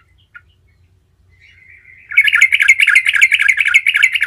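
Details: Yellow-vented bulbul, a gacor bird singing a continuous rolling song used as a lure so other bulbuls answer; a few faint notes, then from two seconds a dense, rapid, buzzy chattering run of quick repeated notes.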